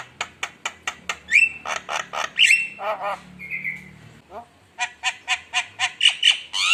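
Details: Javan myna (jalak kebo) lure song: rapid evenly spaced clicking notes, then loud buzzy bursts with rising whistles, nasal rasps and a flat whistle, then another fast run of harsh clipped notes.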